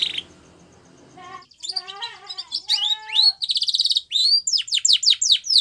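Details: White Spanish Timbrado canary singing to train young canaries: soft low rolling notes first, then louder buzzy trills and a run of steep descending chirps.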